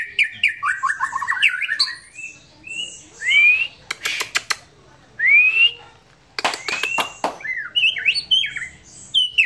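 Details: White-rumped shama in relaxed song, jumbled warbles alternating with clear rising whistles and a few loud sharp clicks, then more rapid chattering phrases.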